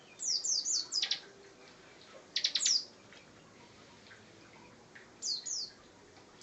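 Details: Bar-winged prinia delivering short runs of thin, high, downslurred chirps and a brief buzzy rattle, separated by long quiet pauses.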